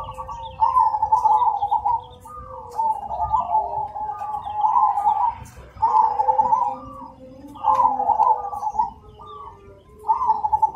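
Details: Cemani zebra dove singing loudly and clearly: rolling, bubbling coo phrases repeated about every two seconds, each a trilled burst followed by a short pause, with a steady low hum behind.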